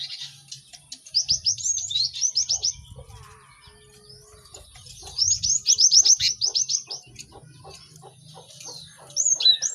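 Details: Cinereous tit song for teaching caged birds quickly: two long rattling runs of rapid, evenly spaced sharp chirps separated by a quiet stretch of faint ticking, then a few hooked whistles at the end.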